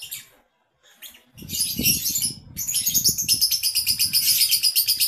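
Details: Male lovebird judged for contest readiness: after a brief pause, rapid high-pitched chattering twitters build into a continuous stream, mixed with low fluttering sounds like wingbeats or movement in the cage.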